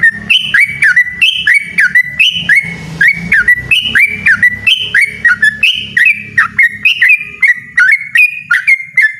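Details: Yellow-vented bulbul pouring out a loud, insistent 'ropel' run of clear, swooping chirps in quick succession over a steady low background hum.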